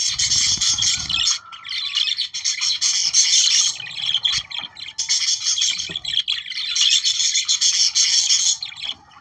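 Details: Budgerigars singing to stimulate breeding: dense, continuous high chattering warble from several birds, scratchy and twittering in bursts with brief lulls, a low thump at the start.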